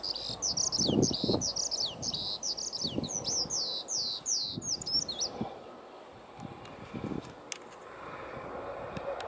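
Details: Skylark song: rapid series of high whistled and slurred notes, many dropping in pitch, for about five seconds, then quiet with faint clicks and low rumbling background noise.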